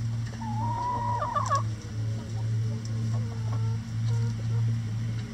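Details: Chickens pecking apart a cabbage ball hung in their run; a long level squawking note breaks into a few quick jerky notes, then scattered soft clucks, all over a constant low droning hum.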